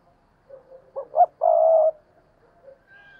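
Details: Decoy spotted dove cooing to provoke wild doves, heard a little farther off: two short rising notes lead into one long steady husky coo, with soft faint murmurs before and after.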